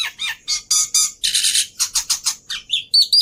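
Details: Javan pied starling song used as a lure and tutor recording for captive birds: a fast run of harsh, broadband squawks and chattering notes, with a few thin high whistles near the end.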